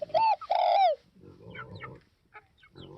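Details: Spotted dove, Northwest (Tây Bắc) type, delivering a loud two-part coo at the start: a short hooked note, then a long sliding croo. Soft low rumbling and faint chirps follow.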